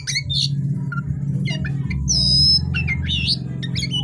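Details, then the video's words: Night singing of an oriental magpie-robin, offered as therapy for stressed kacer birds: clear rising whistles, a buzzy sustained note and short chirps in rapid succession, with a continuous low droning hum beneath. "suara KACER GACOR di malam hari"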